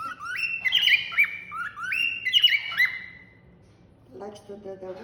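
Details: At night, a pet cockatiel whistles a run of bright, rising, slurred notes, then a person briefly speaks; Cockatiel.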